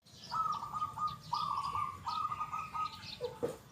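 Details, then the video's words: Local zebra dove in full song with a big, loud, clear 'kung' voice: three rapid, trilled cooing phrases run back to back, ending with a short low note, while faint high whistles from other birds sound behind. "PERKUTUT LOKAL GACOR SUARA KUNG BESAR YANG KERAS & JERNIH"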